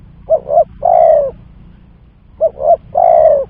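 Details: Two close phrases of spotted dove lure calling for trapping, each two brief soft coos followed by a long, gently falling coo, with low background rumble.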